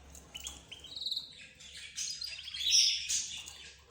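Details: Budgerigars, zebra finches, canaries and another cage bird calling together: thin rising chirps at first, then a dense burst of high twittering and sharp whistled notes that grows louder toward the end.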